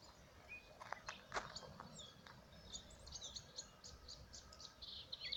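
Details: Melodious warbler singing on 17 April 2017: a scattered, chattering string of short high chirps and quick slurred notes over faint background noise.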